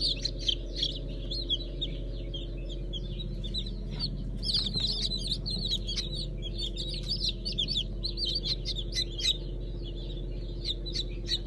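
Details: Newly hatched Brahma, Fizan and Habeş chickens, 15 June 2019; a dense, busy chorus of many high chirping peeps throughout, no single caller standing out, over a steady low hum.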